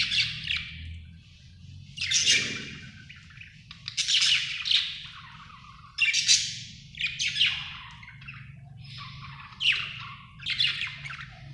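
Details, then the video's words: Happy budgie chirping: bursts of varied, squeaky warbles and short chirps every second or two, separated by brief pauses, over a low steady hum. "happy budgie chirping sound"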